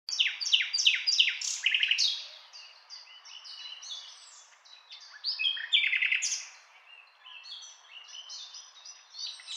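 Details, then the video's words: Common nightingale singing: a run of loud, quick descending notes repeated several times, then a varied string of short whistles, chirps and rattles, pausing and swelling again in the second half. "Nightingale Sound"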